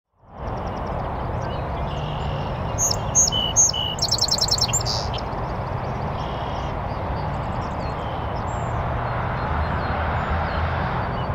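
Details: North American Song Sparrow singing from a bush on a northern USA oak savanna beside a beaver pond: a few clear introductory notes followed by a quick buzzy trill, set against loud, steady broadband rushing noise.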